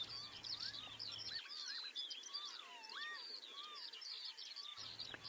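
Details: At Martin Mere, a territorial Eurasian skylark sings over wet grassland, pouring out an unbroken, high, rapid stream of chirps and trills, with lower, clearer whistled notes from other birds and a faint murmur of voices.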